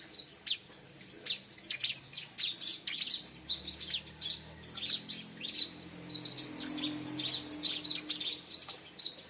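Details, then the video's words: A bar-winged prinia sings in a luring recording: steady series of sharp, high chirps and short trilled bursts, delivered in quick, nearly continuous phrases over about nine seconds, with faint low hum beneath. "suara burung ciblek"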